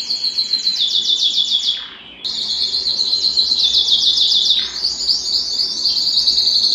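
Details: Excited canary singing in mating mood with fast, bright rolled trills, two short breaks, then a continued high rapid tour of repeated notes.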